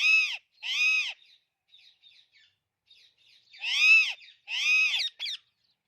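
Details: Loud paired screeches from an Alexandrine parakeet, two arching harsh calls, a pause filled with faint chatter, then two more screeches and a short squawk.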